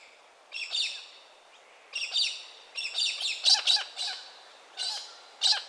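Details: A pink and grey Galah in Western Australia gives about eight harsh, grating screeches in ragged bursts, some doubled, with short pauses between them.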